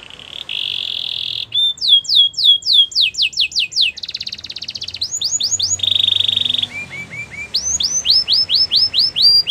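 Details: Canary song offered to coax a quiet canary back into singing: bright rolling phrases of fast repeated downslurred whistles, switching between high buzzy trills and lower steady rolls, with almost no pause.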